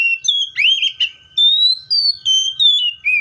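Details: Seychelles magpie-robin in continuous song, loud sweet whistles slurring up and down, closely strung with short breaks, a varied warbling run of clear notes.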